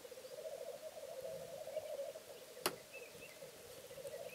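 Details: Low, continuous bubbling rookoo of a displaying male black grouse on a bog, rolling without pause; a single sharp click cuts through midway, and faint high chirps follow.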